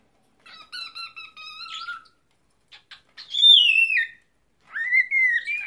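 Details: A pet cockatiel trying to talk and sing: a series of steady level whistles, then a loud high whistle sliding downward, and a final rising whistle that levels off, in a quiet room.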